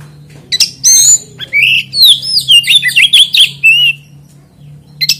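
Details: Kacer, or oriental magpie-robin, in full varied song used to lure other magpie-robins into singing: a rapid run of bright whistled and chattering notes, slurred rising and falling phrases, sharp high chirps, over a steady low hum.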